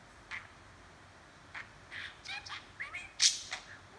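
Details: Pet budgerigar talking and chattering, recorded handheld: scattered short chirps and warbled notes with brief gaps between them, quiet background.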